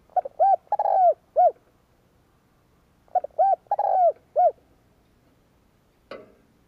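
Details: Spotted dove cooing, used to stimulate males in training: two phrases of low, hollow coos, each a short note, a longer drawn-out coo and a final short note, separated by a pause, then a brief click.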